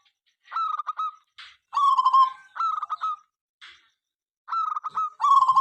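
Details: Local zebra dove singing tirelessly morning through night, stirring rival birds to call back: a run of several short trilled cooing phrases, each a quick chain of pulsed notes, with soft breathy sounds between.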